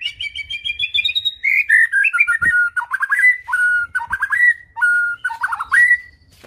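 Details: White-rumped shama song from a full varied repertoire: a rising whistled series, then repeated phrases of a level whistle followed by quick falling notes, with faint low background rumble.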